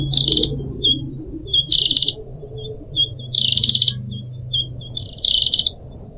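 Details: Pied triller, a kept cage bird, gives loud buzzy rattling phrases about every second and a half, alternating with short piping whistles, against a background of gently trickling water.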